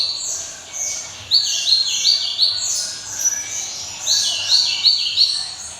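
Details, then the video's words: Java sparrow singing a ringing, crisp song: rapid high chirps and squeaky notes in quick succession, with bursts of louder clipped notes about every half second. "SI CABE RAWIT GLATIK,SUARA CEMELENTING TIADA TANDINGNYA"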